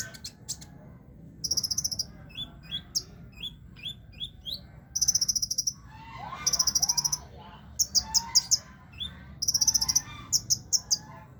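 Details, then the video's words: Sunbird in a cage, placed low yet still in full voice, repeats very high rapid trills of about a second each, interspersed with short sliding whistles and softer chattering notes. "burung kolibri ninja ditaro di bawah juga masih gacor"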